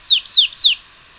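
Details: Tricolored brushfinch (Atlapetes tricolor) singing three clear, high whistled notes, each sliding downward and spaced about a quarter second apart, then silence.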